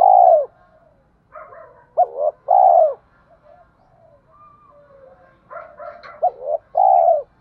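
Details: Spotted dove cooing in a rustic style, used to lure wild doves to fight: loud phrases of a short double note then a long falling coo, answered by softer, higher stuttering coos from a second bird.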